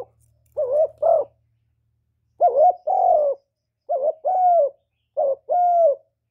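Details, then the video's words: Spotted dove cooing to draw wild doves to a trapping spot, recorded without background noise. Four paired coos, a short wavering note then a longer falling one, with a long pause after the first pair. "Cu gù cực hay kéo bổi về tàng"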